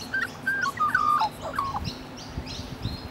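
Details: Rainbow lorikeets, Australian birds, cuddling while grooming each other: a brief run of clear, sliding whistled notes and squeaks in the first second and a half, then fainter soft chatter with rustling and a steady low hum.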